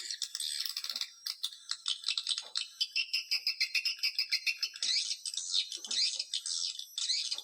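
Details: Lure sound to attract swiftlets: fast clicking rattles speeding into evenly spaced pulses, followed by wavering, buzzy chirps in a busy chorus.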